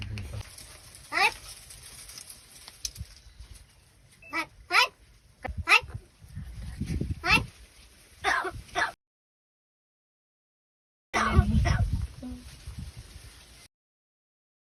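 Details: Talking crow from Palghar, India, mimicking Marathi words. Short, harsh, voice-like syllables come in quick bursts, then a silent pause and another rough burst, with low rumbling background noise.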